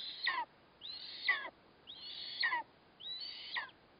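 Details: Eastern imperial eagle feeding a chick at its nest, 4 August 2024, with a black kite as prey; four loud, strained calls that rise briefly, hold high, then break downward, spaced under a second apart.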